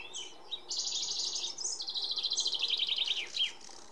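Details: Iberian pied flycatcher in song, Sierra de Piedrahita in central Spain, 4 May 2014; after a couple of sharp notes come two fast, even trills of high repeated syllables, the second slightly lower, closing with a brief upslurred note.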